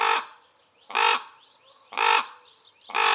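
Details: Rhythmic, hoarse caws from Common ravens in wild acacia woodland, four in about three seconds, with high thin chirps of another bird between them.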